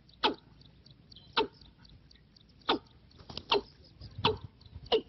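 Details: Watercock giving its trapping-decoy call: seven abrupt, husky clucking notes at uneven intervals of about one second, each a sharp knock that fades quickly, with a few faint softer sounds between them.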